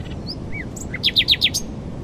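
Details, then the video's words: A common nightingale, newly arrived in spring around 18 April, sings from a thicket at dawn in high wind in Northamptonshire, UK: scattered high notes, then four quick, loud down-slurred whistles, over a low rumble. "nightingale singing"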